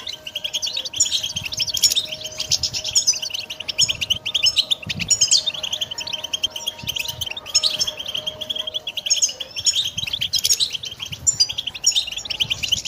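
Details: Long unbroken song from a pet goldfinch, a rapid jangling mix of twittering notes and brief buzzy trills, with a faint steady hum and low background noise.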